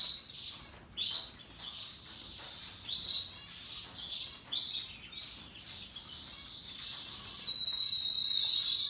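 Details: A group of Russian yellow and Timbrado canaries in full song: fast, rolling high trills come in surges about every second, then merge into a continuous trill ending in a sustained pure whistled note.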